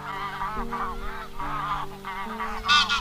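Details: Wild goose calls meant to summon the flock for trapping: overlapping wavering nasal honks run continuously, ending in one loud sharp honk, with held musical notes droning underneath.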